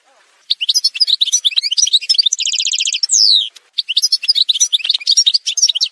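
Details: An Algerian goldfinch sings a fast, varied twitter of high notes, with a rolling trill of repeated syllables, a loud buzzy descending phrase, a brief pause, then more rapid chirping; montage recording.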